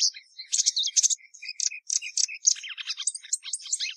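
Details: Plumbeous seedeater (Sporophila plumbea) song: clear paired whistles alternating high and lower notes, followed by a quicker jumble of chirps and buzzy trills.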